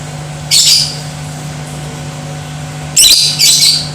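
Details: Lovebird sound for goading other lovebirds into aggression and song: a short shrill screech, a pause of over two seconds, then two quick harsh chattering bursts, over a steady low hum.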